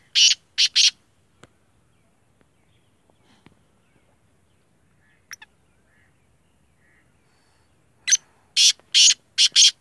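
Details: Black francolin calls twice: three rasping buzzy notes at the start, quiet with faint chirps in between, then a five-note grating phrase near the end.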